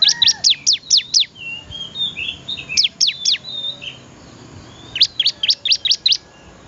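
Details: Ciblek, the bar-winged prinia, singing energetically: quick series of five or six piercing downslurred notes, repeated three times, with faint twittering between series.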